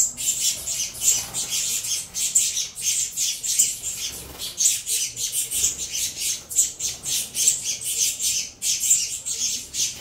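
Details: Saffron finch chicks, captive-bred from a Venezuela cross, begging noisily while being fed: dense, harsh, hissing squawks crowding the high register, pulsing in rapid bursts several times a second with brief gaps.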